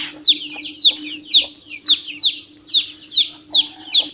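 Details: Chick of a domestic chicken peeping insistently: about nine loud, high, downward-sliding whistled peeps in quick succession, each roughly half a second apart, over a faint steady low hum.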